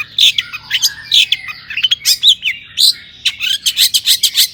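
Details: Long-tailed shrike singing to rouse other shrikes: varied warbling phrases of whistled slurs and chirps, ending in a fast, even series of short scratchy notes.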